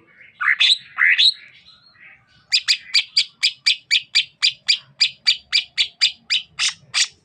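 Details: Song of a greater green leafbird of the Sukamade type from Banyuwangi, East Java. Two harsh upslurred notes come first. After a pause, a long run of crisp chipping notes follows at about four per second.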